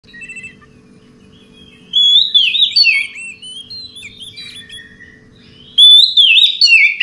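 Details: Oriental magpie-robin singing relaxed at night: two bright bursts of fast, varied whistled notes and slurred trills, separated by several seconds of near quiet with faint scattered chips and a low background hum.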